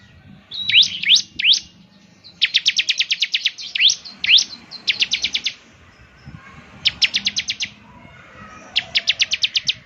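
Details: Bar-winged prinia of the ciblek semi type in lively song, played as a lure to start a bird singing: quick, even trills of ten or so sharp high notes, repeated in bursts with short gaps.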